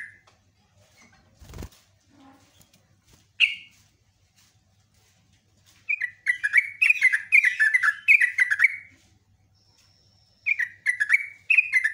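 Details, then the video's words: Sooty-headed bulbul pouring out bubbly, chattering phrases of quick falling notes in two bursts, a long singing run, with a sharp thump and faint rustling earlier. "BURUNG TRUCUKAN GACOR ROPELAN PANJANG"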